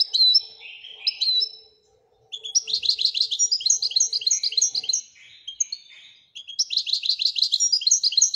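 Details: European goldfinch, called royal goldfinch, gives a few thin opening notes, pauses, then a long dense tinkling twitter, stops briefly and resumes the rapid liquid twittering; faint low hum early on.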